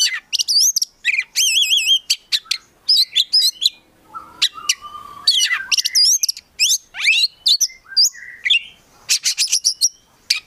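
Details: Kept Oriental magpie-robin, locally kacer, in rich full song: a wavering warbled trill, rapid chipping bursts and a few lower whistled notes, phrases following each other over about ten seconds.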